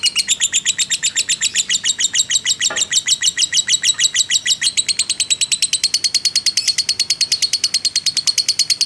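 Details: Caged fighter-type lovebird giving a long, unbroken ngekek, used as a pancingan lure to rouse other lovebirds. The sound is a rapid, continuous run of sharp, high chirps without a pause, with one brief low thud midway.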